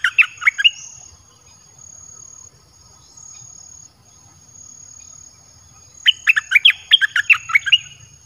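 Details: Caged red-whiskered bulbul song for luring wild birds, with a short burst of rapid chirps, a long near-silent pause, then a vigorous run of crisp, up-and-down notes.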